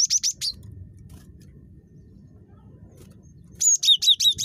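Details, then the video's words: Gelatik batu, the cinereous tit, giving a fast burst of three bright high notes, a quiet pause, then a lively run of about six sharp, slurred whistles. "GELATIK BATU SUPER CREWET"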